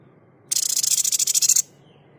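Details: Tutor recording of the white-chested babbler's 'tembakan' shot sound for songbird training: a single loud, rapid, rasping rattle of roughly fifteen sharp pulses lasting about a second, then quiet.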